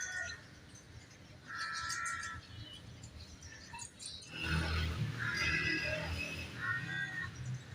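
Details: Common myna calling: short grating, banded notes in two bursts, then a rumbling low noise from about halfway, under which more harsh notes and faint high chirps continue.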